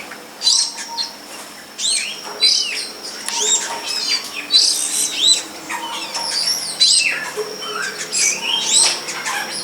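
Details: Wild long-tailed shrike (cendet pilis) behind a house, singing a busy, varied run of sharp chirps, slurred whistles and rising and falling notes in quick bursts, with a steady high thin whine in the background.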